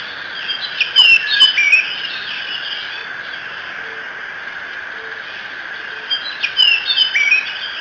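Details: Bald eagle calling at its Decorah nest, morning of 1 June 2017: two short bursts of high, thin whistled chitters with sharp clicks, separated by several seconds of steady chirping from smaller birds.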